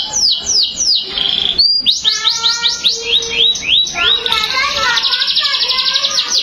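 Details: Canary song with quick high swept whistles, a short steady held tone, rolling repeated trills, and a closing fast buzzy high rattle, lively and unbroken.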